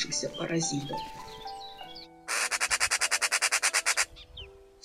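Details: A Eurasian magpie in Russia during the nesting season gives a harsh, dry rattling chatter of about fourteen rapid notes in under two seconds, a call said to warn other animals of an approaching hunter, over music and a speaking voice.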